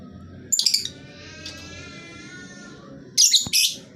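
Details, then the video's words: Lovebird, played as a lure to get reluctant birds of any lovebird type to sing: two bursts of harsh, shrill chattering screeches, about three seconds apart. A faint, thin, level whistle runs between them over a low indoor hum. "Lovebird jenis apapun dijamin pasti ikut bunyi, pancingan ampuh bagi burung yang malas bunyi"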